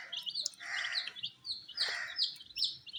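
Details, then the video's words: Brightly coloured chicks at a wheat feed, high falling chirps mixed with two louder, broad, buzzy calls and overlapping cheeping from the group. "Colors MURGI baby Chicks are eating "wheat Challenge" with "Chicks Chirping" Sounds"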